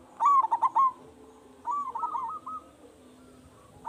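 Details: Zebra dove, local type, loud and singing freely, used to provoke other doves into answering. One loud rapid coo burst opens, then a drawn-out softer rolling phrase, followed by quiet.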